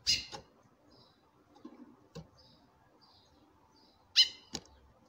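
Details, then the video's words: Female chestnut-bellied seed finch calling to a male: two abrupt harsh chips about four seconds apart, with faint high whistles and light tapping in between. "FÊMEA DE CURIÓ CHAMANDO MUITO"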